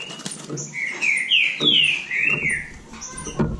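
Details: Green-winged saltator from Bahia competing in song: a run of loud slurred whistles rising and falling, partly masked by rustling and knocking noises.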